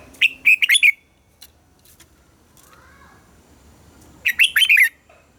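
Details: Morning song of a red-whiskered bulbul, double-note 'già rừng' style for training caged birds. Two short bursts of four or five sharp, warbling whistles, about three seconds apart, with near silence between.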